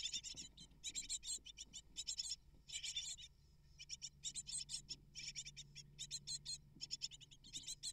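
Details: Great tit chicks, eight nestlings fed by both parents, give high, sibilant, chattering begging calls in rhythmic bursts, each cluster of rapid squeaks broken by short silences, over a soft low background hum.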